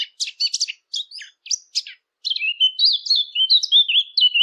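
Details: A Eurasian blackcap sings for a hunting-caller recording: a halting series of chattery notes, then a rich, flowing fluty phrase of clear whistles that rises and falls. The background is silent.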